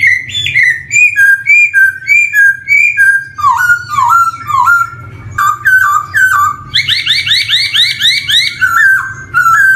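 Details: Black-throated laughingthrush song as a lure for newly singing young birds: a long run of clear whistled notes stepping up and down, paired falling phrases, then a quick rattling series of bright repeated notes.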